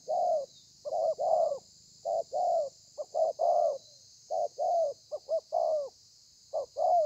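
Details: Wild-caught spotted dove in the 'thổ pha' cooing style with 'lèo dặm' embellishments, recorded 30/11/2020: repeated phrases of a short clipped coo followed by a longer falling coo, about every second, over seven seconds. Light steady hiss.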